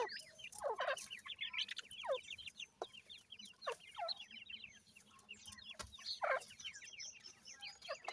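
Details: A brood of grey francolin chicks, offspring of a gora teetar male and a dakhni teetar female, keeps up dense, high, twittering peeps, some louder falling notes standing out among the steady chatter.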